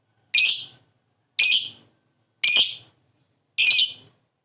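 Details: Lovebird calls used to prompt ngekek: four harsh, high, rasping chirps, each short and separate, spaced roughly one second apart with silence between.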